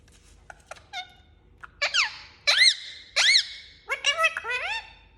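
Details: Indian ringneck parakeet, an angry pet talking parrot, makes a run of loud screechy arched squawks, some doubled, in bursts roughly every second, after a few soft clicks, in a small room.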